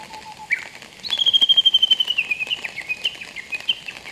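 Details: A male Japanese bush warbler, soaked from rain in the Aichi mountains, Japan, on 4 July 2022 after the rainy season ended, gives a brief low whistle, flicks upward, then runs into a long, slightly falling series of bright, rapid notes.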